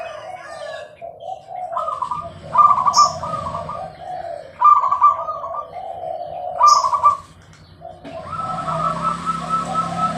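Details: Zebra dove song: three clear, soft, rolling coo phrases about two seconds apart, each starting with a short high click, ending in a hissing noise.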